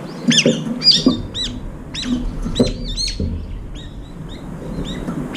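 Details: Brown-eared bulbuls feeding a few at a time around a food bowl at a window feeder give loud, squeaky whistled calls that arch up and down, several in quick irregular succession, with soft tapping and rustling below.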